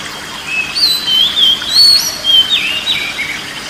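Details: Song of an oriental magpie-robin, used as therapy for a stressed or silent bird: rich whistled notes, rising and falling slurs, delivered in loose bursts against low steady noise.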